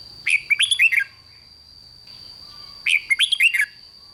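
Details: Red-whiskered bulbul rik song, aimed at exciting other bulbuls. Two phrases of rapid, chattering, slurred notes about two and a half seconds apart, over a steady high whine and a low background rumble.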